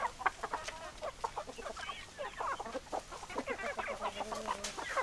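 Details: Chickens clucking in a group, choppy repeated clucks and brief rising notes overlapping, with a short harsh burst near the end.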